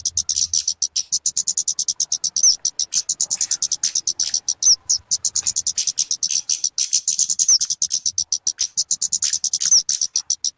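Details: Bird known as talokan or kemade, with a call used for bird luring and song tutoring. Fast, steady strings of high, dry chirps run almost without pause, and a brief sharp upward squeak is heard about every two seconds.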